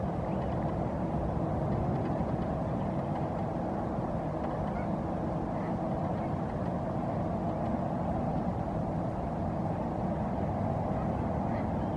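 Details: Steady low engine rumble and broadband noise, like a vehicle or boat, with no animal calls standing out.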